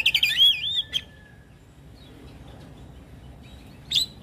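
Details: Lively Javan myna song used to lure other mynas into answering. It opens with a rapid high warbled whistle of looping, rising and falling notes, then falls quiet before one short squeaky note near the end.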